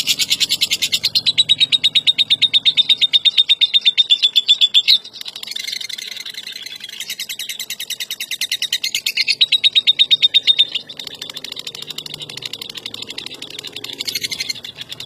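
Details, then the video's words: Lovebird, a world-champion contest bird, delivers long bursts of rapid buzzy high-pitched trilling lasting several seconds each, separated by short chattering pauses, strong and sustained. "SUARA BURUNG LOVEBIRD JUARA DUNIA"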